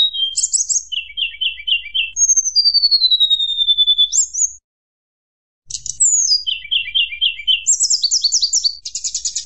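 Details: Mountain tledekan song used to provoke rivals: high whistled notes, a long falling slur, then rapid repeated chirps and trilled bursts, broken by one short silence midway.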